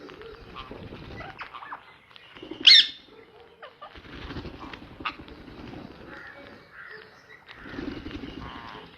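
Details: A pet ringneck parrot gives a single harsh, high screech partway through; the rest is quiet with low background rumble and faint household noise.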